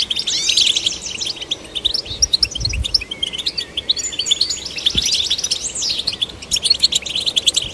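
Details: European goldfinch song, used to stimulate goldfinches: a fast, continuous high twitter of tinkling notes and short rising and falling slurs, with a few soft low thumps in the background.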